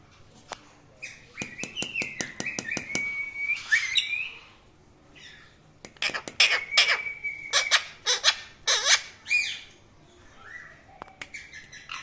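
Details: Indian ringneck parrot kept as a pet, calling and chirping indoors: bursts of rapid clicking chirps mixed with drawn-out level squawks, two busy phrases separated by a brief lull.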